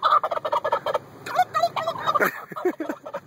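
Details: Furious turkey on the attack lets out a rapid, gurgling gobble of choppy clucking pulses that rise and fall, with brief laughing voices in the background.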